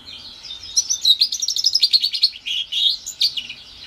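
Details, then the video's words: Hybrid of house finch and Timbrado canary, around four months old, singing a rapid trill of chirps that shifts into lower, rolling warbled notes with short gaps. "Housefinch mule / Housfinch x Canary Kenari"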